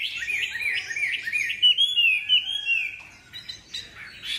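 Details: Captive Chinese hwamei singing a fast burst of rolling whistled notes, then a long sustained warbled phrase, ending in a few softer scattered notes.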